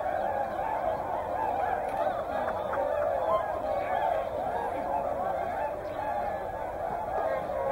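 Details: Whooper swans in a mixed flock with tundra swans at Hyoko, Niigata, Japan: a dense, continuous chorus of nasal honking calls from many birds, overlapping without pause, over a steady background hum.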